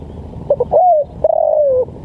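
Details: One 'lambung kuk' phrase from a spotted dove, recorded for training and luring birds: a few clipped introductory notes lead into a smooth drawn-out coo that falls slightly at the end.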